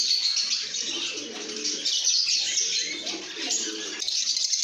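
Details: Lovebirds chirping in a cheerful mood: a crowded, restless chatter of shrill notes from many birds, rising and falling in loudness, over faint lower warbling.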